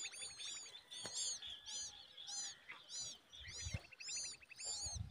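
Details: Common babbler chick being fed a big worm by its mother, giving high, arched, squeaky chirps in rhythmic bursts about twice a second, with softer buzzy rattles underneath and faint low rumbling.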